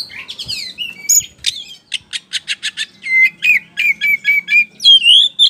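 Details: White-rumped shama in loud ngeplong-style song, used as a lure to draw answering birds: swooping whistles, then a rapid burst of dry repeated clicks, then a run of rich fluting notes ending in rising, slurred whistles.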